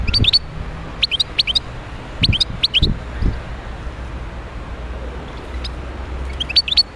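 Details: Wild European goldfinch from Médéa singing bright, quick clusters of sharp chirps and twitters in short bursts, with low background rumble between phrases.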